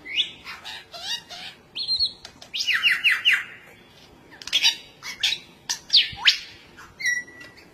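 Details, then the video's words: A superb lyrebird courting its mate sings a rapid, shifting medley of high phrases: sharp rising sweeps, a quick tumbling run of clear descending notes, and brief chirps and whistles. "cara burung superb lyrebird sedang merayu pasangannya"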